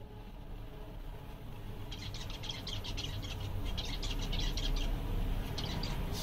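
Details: Seven zebra finches, content on a summer day, give a quick series of short, bright, buzzy calls from about two seconds on, roughly three or four a second, over a steady low rumble.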